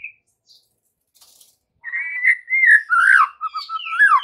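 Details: Afternoon lure recording of a White-rumped shama meant to get fledgling and juvenile shamas answering: after a quiet start, a flowing run of clear whistles, slurred phrases and a rising-falling flourish fills the last two seconds.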